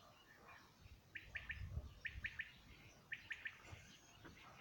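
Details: Quail song from 2019: three rhythmic phrases, each of three short, clear notes, one phrase roughly every second, with quiet low background noise.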